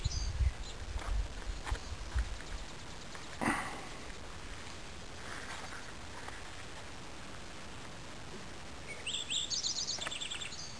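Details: Lincoln's sparrow in Greensboro, Vermont, giving a bubbly, jumbled run of high trills near the end, after low rumbling, thumps and handling noise.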